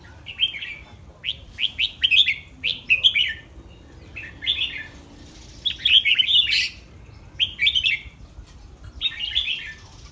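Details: Red-whiskered bulbul in a cage, pre-competition, singing almost continuously: a string of short, bouncy, whistled phrases of rapid notes, one every second or so, with a few sharp clicks.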